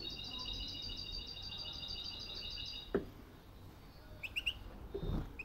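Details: Caged European goldfinch of unknown sex that calls but does not sing, hopping around its cage all day: a run of rapid, evenly repeated high twittering notes, then a few scattered chirps among soft knocks.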